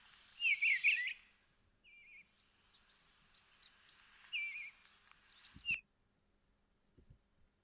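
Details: An Eastern bluebird, an early spring arrival in the backyard, gives soft, warbled phrases around two to three kilohertz, a burst at the start then short separated notes, over faint steady hiss.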